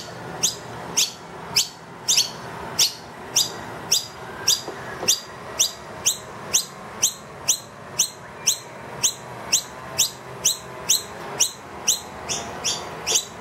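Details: Wild noisy miner, having brought two young into a room, calls loudly for food once the feeder is empty: sharp, high, rising chirps repeated about twice a second throughout, with no other clear sounds.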